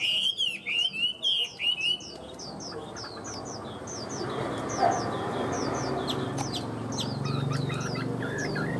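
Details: Tame cage-kept Chinese hwamei singing. Loud, clipped whistled notes repeat rapidly for two seconds, then a long run of fainter, quick high notes continues over broad background noise.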